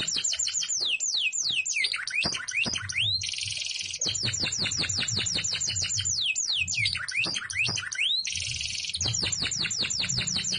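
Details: Kept domestic canary in energetic 'gacor isian' style, rapid downslurred whistles in quick series, broken by two dense buzzy rattles, with swooping rising notes; faint low rumble beneath.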